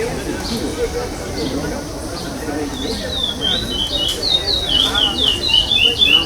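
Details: Chestnut-bellied seed finch at the 8th state stage of a 2021 singing competition, placing fifth, singing the pardo style without repetition: after three seconds of crowd murmur, a quick string of clear whistled notes sliding up and down.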